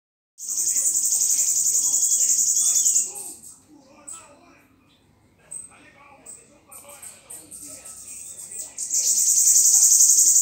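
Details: Bananaquit song: a thin, high, sizzling trill held for about two and a half seconds, then a near-quiet gap with scattered faint chips, then the buzzy trill returns; a man says good afternoon in Portuguese afterward.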